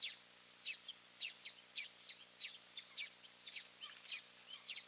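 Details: Golden eagles in Finland, May 3, 2024, at a nest with two eaglets as both parents come in: high, squeaky, slightly downslurred yelps in a rhythmic series, roughly two per second, against light background hiss.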